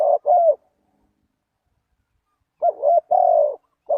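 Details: Spotted dove used as a lure for wild doves, giving a double coo, a silent gap of two seconds, then a quick broken triple phrase ending in a long steady hoot, another coo starting at the end.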